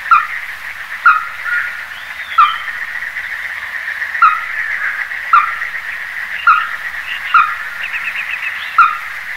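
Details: A Ruddy-breasted crake (Zapornia fusca) gives sharp, short clucking calls, repeated about once a second at a steady pace, over a continuous high insect or frog chorus.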